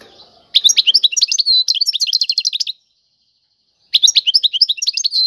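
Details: European goldfinch in tiwawati-style song: a long, rapid run of bright twitters, trills and buzzy notes, a pause, then the song starts again.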